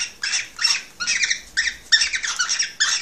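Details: Excited male cockatiel singing to stir a female to mate and breed: harsh, buzzy, harmonic chattering bursts, about six short phrases in quick, uneven succession with brief gaps.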